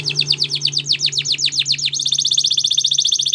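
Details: Spanish Timbrado canary singing a training song: loud down-swept chirps repeated rapidly, then a sudden switch to a very fast, level, high rattling trill.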